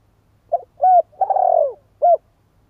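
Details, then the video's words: Spotted dove (chim cu gáy) cooing: a short soft note, a mellow falling coo, a long rolling throaty coo that slides downward, then a final clipped coo, all low and hollow over quiet background. "CHIM CU GÁY"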